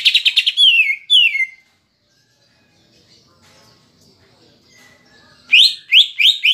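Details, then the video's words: Greater green leafbird song with kapas tembak filler, played to provoke a kept bird: a loud buzzy trill, two downward-sweeping whistles, a quiet stretch of faint chatter, then three sharp rising sweeps. "Pancingan Cucak Ijo (Isian Kapas Tembak) Agar Emosi Jamtrok"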